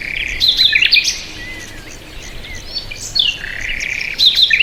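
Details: Birds chirping in bursts of high, quick whistled notes and short trills, with a quieter gap in the middle and a soft background hiss.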